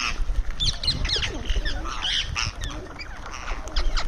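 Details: Indian ringneck parrot making sounds while eating: a busy stream of harsh squawks and short chattering notes, some rising and falling, with low clattering and rustling underneath.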